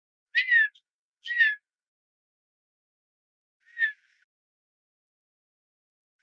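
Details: Male Redhead duck on the water at Fort Erie, Southern Ontario, calling quietly to get a female's attention: three short whistled notes with buzzy edges, two close together then one after a pause.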